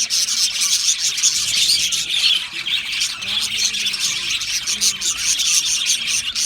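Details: Australian budgie colony in an aviary, loud shrill chattering and squawky chirps from many birds, with a few short whistled notes rising above the constant twitter.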